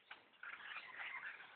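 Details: Swarm of black birds around a bow hunter's tree stand, a sudden surge of loud overlapping squeaks and whistles after a brief quieter start.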